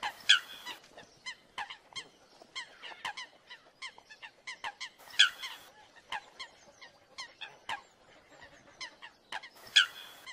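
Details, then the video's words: American Coots in a fight give loud nasal honks about every five seconds, between rapid, scattered clucking and ticking notes from several birds. "American Coot (Fulica americana) Best Fight Call Sound"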